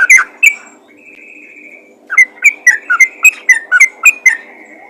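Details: Yellow-vented bulbul calling other bulbuls: two quick chirps, a long flat thin whistle, then after a pause a run of about nine bouncy whistled notes stepping up and down.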